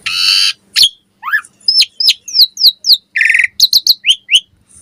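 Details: Morning song of an Asian pied starling (jalak suren), used to prompt other starlings to sing; a harsh grating opening, then a rapid run of bright falling and rising whistles, a raspy burst and more quick whistled notes.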